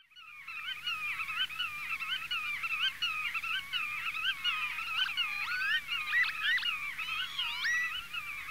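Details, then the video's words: Black-tailed godwits calling their own name, nasal bouncing 'grut-to' calls given while flying up from a post, fast and overlapping, several birds at once with no pause. "geluid grutto"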